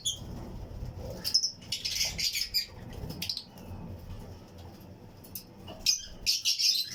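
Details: Fischer's and lutino lovebirds chirping in a flight colony aviary among other birds; clusters of sharp high chirps and harsh chatter in bursts, with quieter spells and low hum between.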